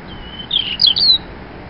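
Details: A short robin phrase: a thin, level high whistle leading into a few quick, sharp warbled notes, all within under a second, with quiet background hiss.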